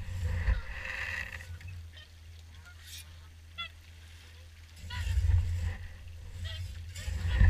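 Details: A crowd of swans at the Caerlaverock evening feed, calling in overlapping hooting honks, with short single notes between louder bursts at the start and after five seconds, and gusty low rumble throughout.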